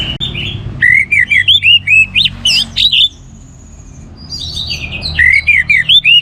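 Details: An Orange-headed thrush gives a continuous song used as a therapy and lure song to set other birds singing. It pours out rich, varied quick slurred whistles and chirps in bursts, with a brief pause midway.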